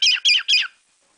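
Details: A pet cockatiel imitates sparrows it learned from outside the window: three quick, harsh, high chirps about a quarter second apart, then quiet.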